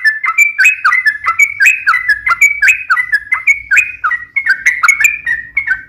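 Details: Long, rapid lure song of a chatty sooty-headed bulbul: bright liquid whistles in short two- and three-note figures, repeated about once a second, with a soft low rumble beneath.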